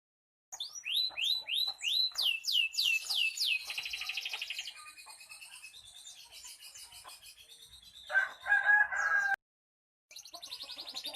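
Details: Canary in furious, persistent, loud song: a run of rapid rising whistled notes repeated several times a second, then fast buzzy trills, a lower rattling burst near the end, a brief pause, and more high trilling.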